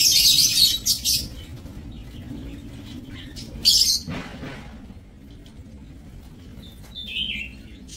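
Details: Aviary lovebirds, 30 May 2024: two sharp, high screeching bursts open the passage, followed by near quiet with a faint descending chirp near the end.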